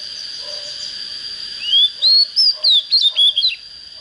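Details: Oriental magpie-robin, an untrained bird just reaching form, sings one bright phrase: a rising whistle followed by six quick, sharply swept whistled notes, each about a quarter second long, over a constant faint high hum.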